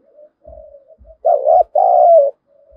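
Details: Decoy spotted dove, thổ-style voice, used to stir wild birds to fight: soft, low murmured coos lead into one loud phrase of a doubled coo and a sustained mellow coo, with faint thumps.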